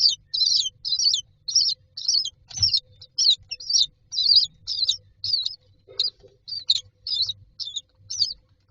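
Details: Nestling mynas lined up in a nest box awaiting food give harsh, raspy high chirps repeated steadily about twice a second, a continuous insistent series over a quiet low hum.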